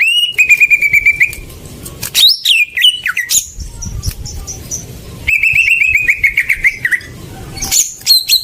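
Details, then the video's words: Greater green leafbird song used to provoke silent birds into singing: long level whistles over rapid chattering notes, high thin whistles, and varied swooping phrases. "Pancingan burung cucak ijo macet"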